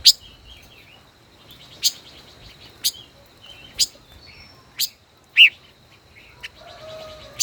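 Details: Five-colored bird duelling in song, a caged decoy of more than a year: sharp chirps roughly every second, one rich slurred whistle, a faint lower tone near the end, steady high whine behind.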